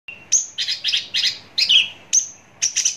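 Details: ['Javan bush lark recorded close up, singing: sharp high whistled notes alternating with bursts of buzzy, chattering trills, in short phrases separated by brief pauses.']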